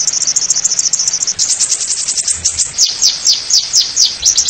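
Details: Oriental white-eye masteran recording in the ngeriwik nyembur style: dense, very high twittering with rapid repeated chirps about twice a second over a steady background hiss.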